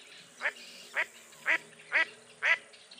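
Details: Five raspy, nasal quacks from a mottled duck, spaced roughly half a second apart and slightly uneven, over a low background hum.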